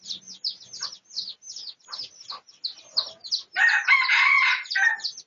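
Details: After several seconds of thin, high bird chirps, a pradu-coloured red junglefowl bursts into one loud, drawn-out, ragged crow. Recorded for research on 18 August 2023.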